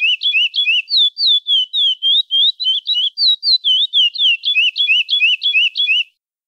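A chestnut-bellied seed finch sings a rich, flowing run of about twenty clear whistled notes, each sliding up or down, delivered steadily over six seconds, with no other sounds.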